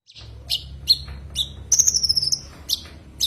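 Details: Common iora calling a rival, several sharp chips then a long high whistle gently falling in pitch, closing with more chips over faint low hum.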